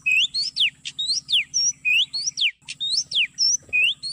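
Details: Oriental magpie-robin song used as an MP3 lure for trapping in an oil palm plantation: loud rapid whistles alternating rising upsweeps and steep downward slurs, repeated in quick phrases, with a constant high whine and low buzzing hum beneath.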